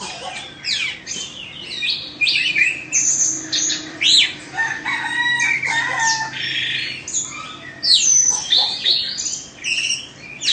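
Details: Indonesian-origin Oriental magpie-robin, a caged two-season bird, delivering a rich, continuous song of mixed whistles, rasping buzzes and quick chattering notes that rise and fall throughout.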